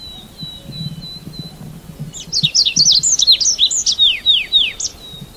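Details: Red avadavat giving a steady high thin whistled tone, then a burst of shrill downslurred 'psip' notes in quick succession, over a low background hum.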